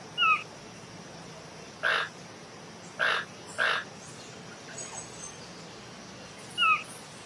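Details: A collared aracari toucan gives five sharp, squeaky calls at uneven intervals, some hoarse bursts and some slurred two-part notes, over a faint steady hiss.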